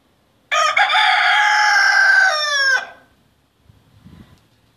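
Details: Cock crowing a single prolonged, piercing crow of about two and a half seconds, held level before a rough falling finish, then quiet with faint low sounds.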